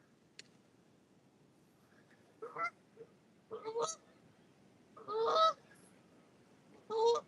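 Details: Canada geese (Branta canadensis) passing overhead at Parc des Rapides, Montréal, on a cold, windy early-spring day, 3 April 2026, during ice-out, give loud, nasal two-part honks, four bursts in about five seconds at an uneven pace, over a quiet background.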